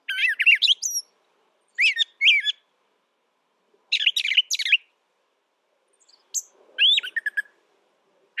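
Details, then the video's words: Brown thrasher delivering loud, varied phrases of chirps and slurred whistles, several given in doubled groups, with pauses of about a second between bursts. Silent background. "Brown Thrasher Bird Sound, Bird Song"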